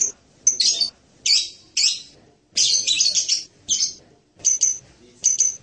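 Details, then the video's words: Hanging parrot (Loriculus), known locally as serindit, giving a series of short, sharp, high-pitched chirps and squeaky bursts in irregular clusters separated by brief pauses. "suara burung serindit mp3 (Loriculus)"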